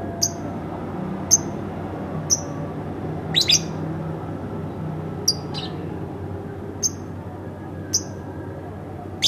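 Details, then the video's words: Household lovebird giving a string of clipped high chirps about once a second, with a few harsher double notes mid-sequence, over light background hum. "masteran bukan tapi burung lovebird rumahan"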